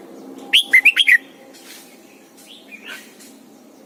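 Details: Red-whiskered bulbul, a caged decoy bird singing in the morning for training other bulbuls: one quick phrase of about five clear, whistled notes that slur up and down, then faint softer notes over quiet background hiss.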